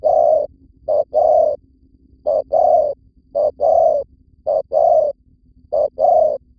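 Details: Vietnamese spotted dove lure call used to draw in wild birds: a short coo followed by a longer, hollow coo, the pair repeated steadily about every second, with a faint steady hum beneath.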